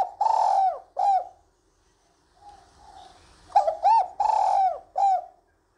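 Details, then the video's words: A female spotted dove gives a calling coo meant to stir males, used as a lure call: soft, low hooting coos in two short bursts, each a long note then a shorter one, separated by a quiet pause. "Tiếng Cu Gáy Giọng Hạp BổI Hấp Dẫn[ GÁY GỌI, THÚC ]Kích Bổi Nhanh Nổi"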